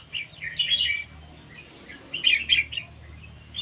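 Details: Red-whiskered bulbul, wild-caught from the Vietnam–Laos forests and caged a year, sings two short clusters of bright, warbling notes about two seconds apart. Background hiss and a steady high whine are present.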